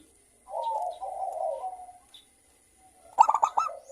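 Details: Local zebra dove singing as a lure to prompt other doves to call, a bird prized for its clear 'crystal' voice: a wavering low trill, a pause, then a short burst of quick staccato coo notes.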